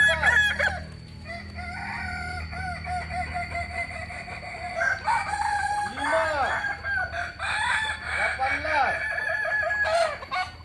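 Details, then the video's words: Kokok Balenggek chicken, an original bird from Solok, West Sumatra, crowing a long stepped crow of many arched, harmonic syllables rising and falling in series, over a steady low hum. "Ayam kukuak balenggek asli solok sumbar"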